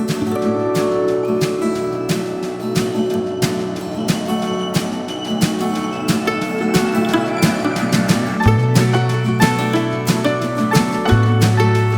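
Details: Strummed acoustic guitar music plays throughout, with no animal sounds heard.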